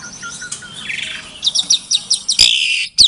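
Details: Asian pied starling from a Klaten, Indonesia breeding facility, February 2022, song to provoke silent starlings; a regular series of short chirps about five per second, a buzzy harsh phrase and a final sharp whistle over faint background noise.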